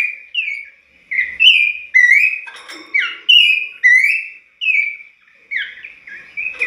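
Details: A singing Abbott's babbler, heard every dawn and used as a lure recording, sings clear, rich whistled phrases, each a few slurred notes, repeated with short pauses.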